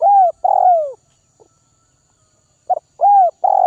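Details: Spotted dove of Northwest Vietnam, a bird being tamed by feeding, giving two long, smooth, downward-sliding coos, a pause, then a quick clipped note and another drawn-out falling coo.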